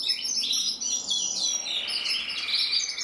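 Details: A Gloster fancy canary delivers a continuous high warble, fast trilled and twittering notes running together without a break for three seconds.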